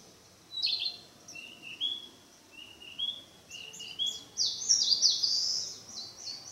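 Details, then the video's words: Practice song of a Narcissus flycatcher in the mountains: a sharp high note, then a series of lower rising whistles, building into a loud, fast, high warbled flourish near the end. "キビタキ 囀り練習中"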